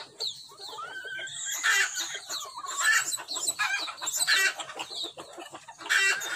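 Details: Blue-crowned hanging parrot (Loriculus galgulus) used as a decoy to lure wild birds gives shrill, squeaky chirps in irregular bursts, with a brief rising whistle early on and scratchy, harsh notes between.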